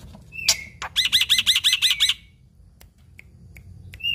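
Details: Black-winged myna giving 'gacor full isian' song, full of mimicry: a harsh sweeping note, then about seven quick repeated buzzy chirps, followed by a few scattered short whistles and a rising whistle at the end.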